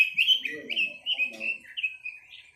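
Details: Chinese hwamei singing loud, clear whistled phrases that slide up and down, each short note dropping or rising in quick succession, with brief pauses between phrases and faint lower chatter in the background.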